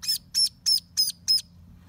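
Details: One of six orphaned ducklings, hand-raised after falling into a storm drain, on the first day of summer, peeps five times in a row, each note high, sharp and slightly falling, about three per second, over a faint hum.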